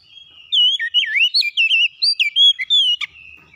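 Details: Oriental magpie-robin song: a rich run of loud whistled, looping notes, swooping up and down in quick succession for about two and a half seconds, ending in a sharp click.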